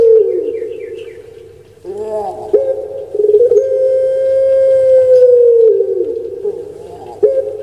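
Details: Puter pelung dove in captivity delivers a long rolling coo that swells then slides downward, with a few faint background noises before the next phrase.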